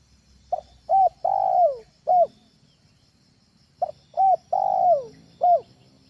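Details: Spotted dove call meant as a home lure for birds: two repeated phrases of short clipped notes around a long descending coo, about three seconds apart, over a faint low background hum.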